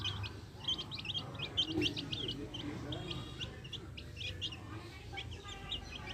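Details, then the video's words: Backyard chicks with hens: short high peeps in quick clusters, some longer flat whistles, over faint low clucks and hum. "Adorable backyard hens with chicks making adorable sounds!"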